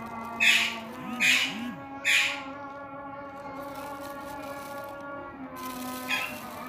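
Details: Indian ringneck parakeet screeching three times in quick succession, harsh rasping bursts roughly a second apart, then a quieter squawk later, against a constant humming drone with faint warbling tones.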